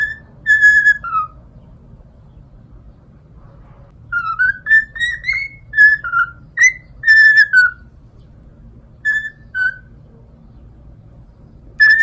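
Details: Pet cockatiel whistles a long stretch of the Totoro song, clear tonal notes rising and falling in melodic phrases with short pauses, over a constant low household rumble.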